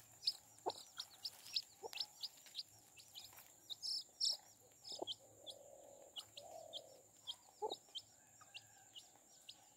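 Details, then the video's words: A brood of chicks guarded by their mother hen: steady high, sharp, down-slurred peeps from many birds, with low soft hen clucks midway and recurring pecking taps. "Baby hen sound | Chicks chirping sounds"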